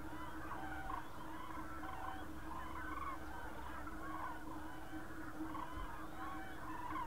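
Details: Common cranes in the countryside around Berlin, Germany, on 24 October 2015, a flock giving many overlapping rolling, trumpeting calls at a steady pace throughout, somewhat distant, over a constant low rumble of wind or traffic.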